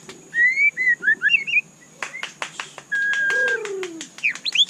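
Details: Rich White-rumped shama song: rising whistles and tumbling chirped phrases, then a long level whistle and a low, downward-sliding note, with scattered clicking sounds throughout.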